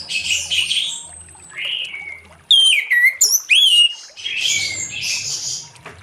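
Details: Orange-headed thrush singing in the ngeplong style in the late afternoon, used to lure other thrushes into song. Loud, clear whistled phrases with sliding, ringing notes in a burst midway. Softer twittering from other birds before and after.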